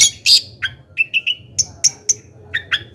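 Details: A long-tailed shrike gives scattered calls, used to provoke other shrikes: a loud harsh rasp, a few short whistled notes lower in pitch, then spaced sharp high chips.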